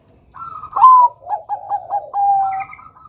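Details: Bangkok-type zebra dove singing actively, its song meant to prompt young birds to sing: a rising opening coo, a bright sliding note, then a run of short stuttered coos ending in a long steady coo.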